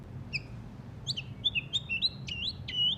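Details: Shama after its moult, still rough in song: short high thin whistles, several flat sustained notes and quick upward flicks, delivered in a brisk uneven sequence above faint low rumble.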